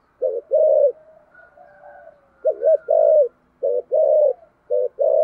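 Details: Spotted dove, thổ sấm voice style, pressing thúc gù cooing. Four low phrases follow closely, roughly one per second. Each is a brief clipped note or pair of notes followed by a longer rounded coo, with a faint steady tone behind them.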